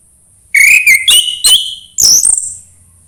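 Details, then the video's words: Song of an orange-headed thrush, used to prompt a quiet bird to sing, 'suara embun pagi': a half-second pause, then a quick run of clear whistled notes, ending in a higher, slurred rising phrase. "anis merah sulit gacor coba PUTAR suara burung ini | SUARA EMBUN PAGI"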